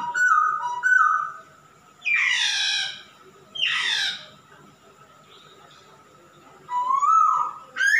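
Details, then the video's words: Male masked laughingthrush in energetic song: whistled notes open, then two long loud rasping bursts separated by quiet, and rising whistles at the end. "Kicau burung Poksay Hongkong jantan gacor"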